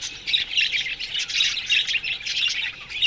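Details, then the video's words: Morning chirping from a colony of Australian budgies kept in an aviary, a busy wash of high, scratchy warbles and squawky chirps from several birds at once, rising and falling steadily. "Budgies Morning Chirping Sounds"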